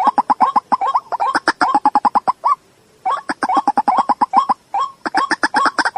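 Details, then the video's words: White-breasted waterhen calling, a fast series of short hooked notes repeated in bursts of about two seconds separated by brief pauses, harsh and rhythmic throughout. "dak pakhir dak.suara ruak ruak. waterhen sound.ডাউক পাখির ডাক ডাহুক পাখির ডাক শুনছেন ডাহুক পাখির ডাক"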